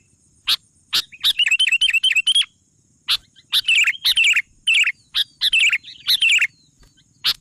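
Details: Sooty-headed bulbul, singing energetically, opens with a quick rippling run of repeated bubbly notes, then after a pause gives several clipped, twisting warbled phrases among sharp clicks.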